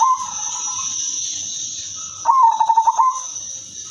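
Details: Single phrase from a silver female zebra dove used as a lure: a quick series of bubbling, pulsed coos lasting about a second, following a softer drawn-out tone, over a continuous high hiss.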